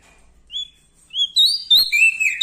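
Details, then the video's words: Bar-winged prinia in full, loud song: two thin high whistled notes, then a rising whistle that runs into a rapid buzzy, chattering phrase that drops in pitch near the end. "Prenjak Daun Lombok gacor Mental Juara Nempel Sama Burung Besar Suara Nyaring"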